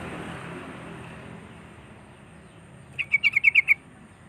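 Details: Sooty-headed bulbul song used to provoke rival birds: a quick burst of about seven bright chirping notes, evenly spaced, after a stretch of quiet background hiss.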